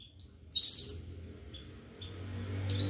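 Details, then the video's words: Red-fronted serin singing nonstop, a quick, high, jingling twitter of bright notes over a steady low hum. "non stop singing Red head pulisas serin"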